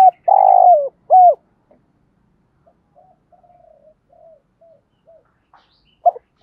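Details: Spotted dove cooing as a lure for wild doves: a long, rough, sustained coo and a short downslurred note, then a string of very soft, scattered murmurs before a final brief coo.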